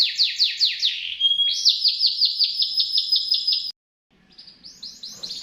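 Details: Domestic canary kept as a master bird for training magpie-robins, its sharp, piercing song meant to be copied: rapid rolling trills of repeated high buzzy notes, one trill switching into another, a short pause, then the trilling resumes.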